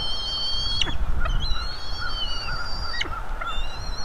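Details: Fluffy bald eagle juveniles at a North East Florida nest, food being delivered: drawn-out high whistles that slide slowly downward, a few in a row with short sharp breaks, over low steady rumble.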